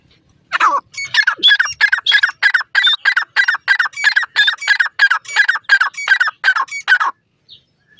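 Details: A francolin, called teetar (a partridge-like bird of South Asia), gives a loud run of about seventeen harsh, grating notes, roughly three a second, for six seconds before stopping.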